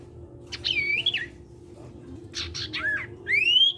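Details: Actively singing sirtu cipow, played to draw untrained sirtu into song: looping whistled notes, a dipping slur and a final long upward-sweeping whistle, all high-pitched over a constant low background hum.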